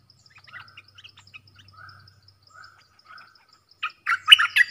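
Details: Stripe-throated bulbul sound used as a lure for trapping, recorded 10 October 2021: soft slurred whistles repeated roughly every 0.7 seconds with thin ticking notes, then a sudden loud burst of harsh, chattering phrases at the end.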